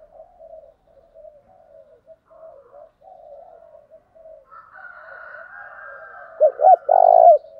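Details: Spotted dove decoy call meant to spur rivals to coo and fight: faint broken low cooing throughout, then a loud close coo near the end, with a higher thin sound overlapping.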